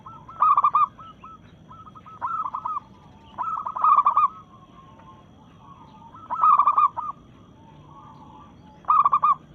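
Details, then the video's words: Vocal local Indonesian zebra dove in breeding condition, challenging rivals with its cooing song: loud clusters of rapid pulsed coos about every two seconds, linked by quieter rolling trills. "Perkutut Lokal Gacor SUARA menantang lawan"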